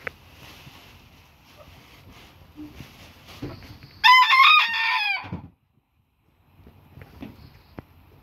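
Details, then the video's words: Booted Bantam rooster giving a single loud crow, strained and harmonic with wavering syllables and a drawn-out end, after low background rumble; silence follows, then faint clicks. "rooster crowing"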